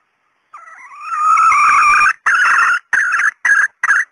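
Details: A red junglefowl hen, a call used to lure wild junglefowl, gives a long, wavering nasal note, then four short clipped calls about every half second.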